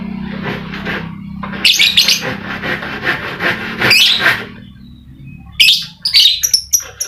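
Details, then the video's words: A lovebird chattering to stir other lovebirds that are reluctant to sing: a rapid, scratchy run of chirps for about three seconds, a pause, then several sharp squeaky notes in quick succession. "Pancingan Lovebird Malas Bunyi, suara burung lovebird bikin emosi lakbet lain"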